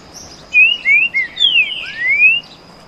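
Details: Canto boi song of a green-winged saltator, one of two rivals singing back and forth: a flowing phrase of rich whistles, wavering, then a rising closing slur.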